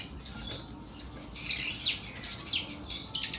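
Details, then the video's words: Kacer Kuku Bima, an oriental magpie-robin, starts with a faint thin whistle, then bursts into loud grating song: a harsh swoop followed by evenly repeated scratchy notes with sharp whistled accents, about two per second. "KACER KUKU BIMA NEMBAK PANJANG & KASAR"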